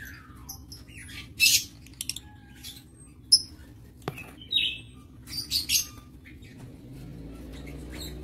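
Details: Scattered high chirps and brief squeaky calls from aviary lovebirds on 22 August 2023, single sharp notes spaced a second or so apart, with a steady low hum behind.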